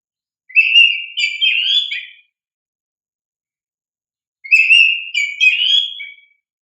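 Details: Oriental magpie-robin song used as a lure to prompt young birds to respond: two clear whistled phrases, each about 1.7 seconds, a steady whistle followed by quick warbled slurs, separated by silence on a clean background.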